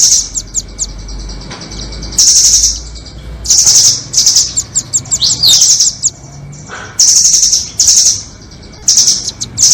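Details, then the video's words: Indonesian trapping-lure audio of doraemon and red-billed nuthatches: piercing high chirps in rapid rattling bursts, interspersed with spaced sharp tick notes and an occasional slurred descending note, with a soft low rumble underneath. "Pikat burung rambatan doraemon vs paruh merah. merambat dan terpikaatt‼️."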